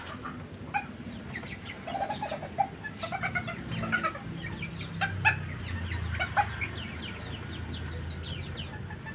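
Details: Tiny Serama bantam chickens kept in Banten, Indonesia, giving a run of clipped clucks that thicken into a busy chatter of overlapping short notes, several birds calling together against steady low rumbling noise.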